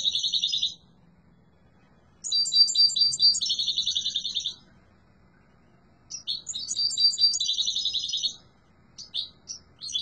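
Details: Yellow mutation European goldfinch pouring out strong song: long runs of rapid, tinkling, buzzy twitters lasting two seconds, repeated after pauses, ending in a few short separate chirps.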